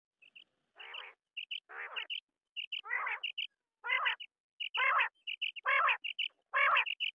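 A quail repeats a harsh, buzzy burst about once a second, each followed by two or three short, high, clipped chirps.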